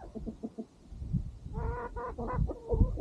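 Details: On a farm at sunset, chickens and a rooster while the dog enjoys its meal: soft low clucks first, then louder ringing, nasal cackles repeated about every half second over low background thumps.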